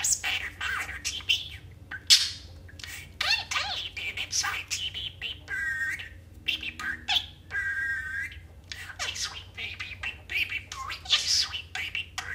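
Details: Pet budgerigar, partly out of frame, talking: it gives partial movie and TV quotes mixed with nonsense chatter. Scratchy, rapid speech-like phrases and warbles run almost continuously, with brief pauses.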